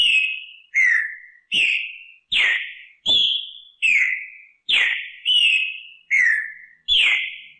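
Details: Katrina-style song of a green-winged saltator, a recording of 239 repeats. Ten clear, ringing whistled phrases fall steadily in pitch and come about every three-quarters of a second, alternating slightly higher and lower versions. The background is silent.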